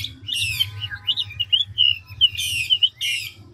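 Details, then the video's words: Chinese hwamei, mature wild-caught bird, switching tones quickly: a harsh buzzy burst, a string of clear whistled slurs and trills, then two more loud rasping phrases; faint hum in the background. "Họa mi ngũ trường đảo giọng tốc độ"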